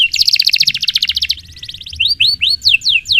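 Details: Canary singing a long, lively training song: a fast rattling trill around high pitch for over a second, then a quieter gap and a run of sweeping downslurred whistles repeated about every third of a second.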